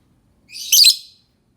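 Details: Lovebird giving a single shrill, harsh screech of about half a second, rising to a louder burst midway, with silence around it.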